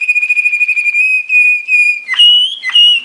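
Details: Belgian Waterslager (Malinois) canary training song: a sustained clear whistled note, slightly wavering, broken by short gaps, then two higher rising whistles with sharp chirpy onsets.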